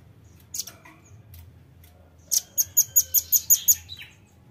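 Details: Velvet-fronted nuthatch calling for luring birds: a couple of loose high chips, then a rapid series of eight bright, hard, high-pitched ticks, closing with a brief slurred note.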